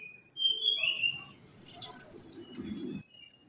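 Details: Orange-headed thrush, known locally as anis kembang or punglor kembang, singing as a lure for idle captive birds after moulting: high thin whistled notes sliding downward, then a rapid trilled phrase near the top of the range, with faint low rustling.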